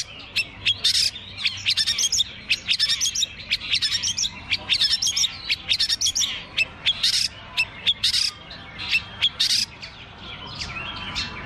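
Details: Long-tailed shrike singing at a bird contest, hung on the contest poles; dense bursts of sharp, high chirps and squawky notes come in rapid clusters, about one per second, with brief pauses between phrases.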